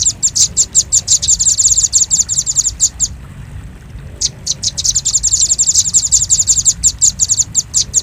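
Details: Velvet-fronted nuthatch sound for luring birds: fast, high, sharp chip notes merging into dense rattles, broken by a roughly one-second silence before a second rapid burst.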